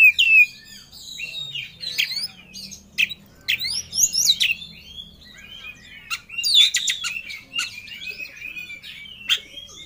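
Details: Oriental magpie-robin singing 'ngobra' with full emotion, looking for a rival: a long, restless sequence of scratchy notes, clicks and twisting whistles at varying loudness over a faint low background hum.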